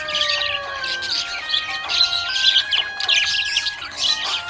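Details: Happy budgerigar chirping: a busy, high scratchy warble of quick chirps and twitters, nearly continuous with small swells, over a steady melodic music track.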